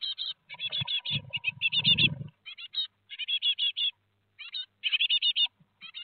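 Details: Great tit family at Théding, France, on 17 July 2020, as four chicks fledge from the nest: rapid bursts of high, scratchy chirps in quick clusters with short pauses, plus a low rustling thump early on.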